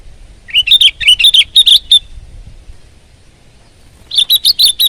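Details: Loud, bright chirping from a sooty-headed bulbul (kutilang) singing at full power: a quick series of about eight upslurred notes, a two-second gap, then five more rapid chirps.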